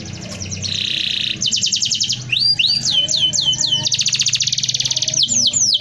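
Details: Canary with a dense rolling song for tutoring: a buzzing roll, a high fast trill, a series of swooping whistles, then a long rapid roll and bright arched notes over soft background noise.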